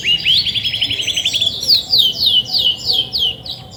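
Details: Grey-and-white female Belgian canary, caged, singing freely as she does when ready to brood: a fast rattling trill of rising notes, then a run of sweet descending slurred whistles repeated about three per second, with faint background hum.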